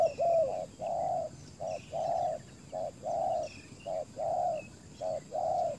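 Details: Spotted dove decoy luring wild doves, giving a regular run of low hollow coos, short and long notes alternating about once a second, with faint high bird calls in the background.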